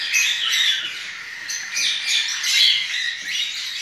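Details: Baby lovebirds being spoon-fed hand-rearing formula give harsh, raspy, high-pitched squawks in rapid overlapping bursts, several each second, almost without pause.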